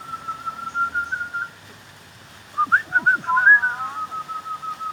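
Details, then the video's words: Common hill mynas perched on a wall behind an old temple in Chiang Mai, Thailand, mimics of human greetings, giving a long steady whistle, a silence, then a burst of rapid warbling and looping whistled notes. "Thai Mynah Birds of Chiang Mai, Talking very vocal !"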